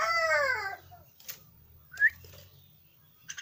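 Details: Young caged pet Javan myna giving a loud, harmonic call that curves downward for under a second, followed by quiet clicks and a short rising chirp.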